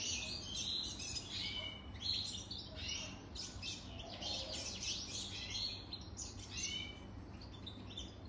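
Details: European goldfinch over three years old singing a fast, continuous, tinkling twitter of high chirps and short trills with a steady low background hum.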